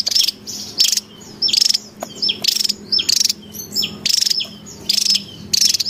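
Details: Javan tesia in the wild, a recording used to lure and train birds: regular rasping buzzes interspersed with sharp, high chirps and short downward-slurred whistles.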